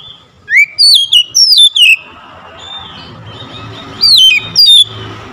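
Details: Oriental magpie-robin singing, used to prompt quiet birds to respond: a rising whistle followed by a run of loud, descending slurred whistles, a pause with faint twittering and low background hum, then two more bright falling phrases.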